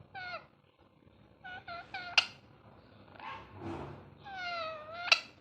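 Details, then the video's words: Pet ringneck parrot, talking and having fun, gives a string of harmonic calls, some sliding downward, others long and slightly rising, with short squeaky notes between them in a quiet indoor space. "Ringneck parrot talking and having fun"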